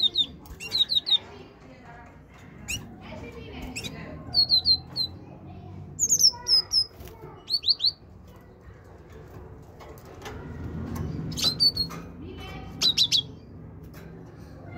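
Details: Great tit singing repeatedly: short bursts of three or four high, sharp whistled notes come every couple of seconds over a steady low rumble of background noise.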